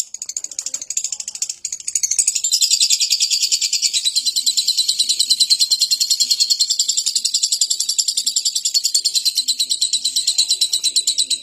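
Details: Lovebird kept for daily use to prompt other birds to sing: a few scratchy notes open into a sustained, dense, high chattering trill of rapid even pulses, steady for about nine seconds.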